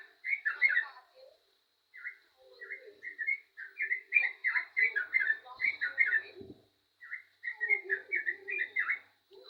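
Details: Actively singing yellow-vented bulbul: rich chattering, gurgling notes strung into fast phrases with a few short gaps, a low soft thump near the middle, and a steady high-pitched hum throughout.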